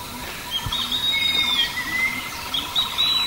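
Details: Javan hawk-eagle, an adult male delivering food to a young chick: a clear, high whistled note sliding downward, then a lower drawn-out whistle and a short upward return, with faint insect buzzing behind.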